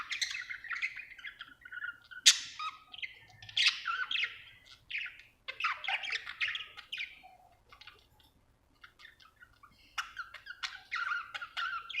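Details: Happy pet budgerigar chirping; twelve seconds of varied scratchy warbles, clicks and short whistled notes in bursts, with a brief quiet spell near the middle before the chatter resumes.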